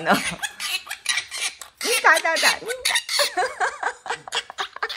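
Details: Four-year-old female pet monk parakeet laughing indoors at bedtime instead of sleeping: bursts of squeaky, bouncing, wavering notes mixed with a woman's chatter and laughter.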